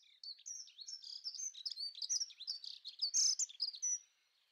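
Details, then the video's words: A Dunnock (Prunella modularis) sings a fast, high, tinkling warble of thin squeaky notes, running continuously for about four seconds with no other sounds. "Vrchárka modrá... (Dunnock)"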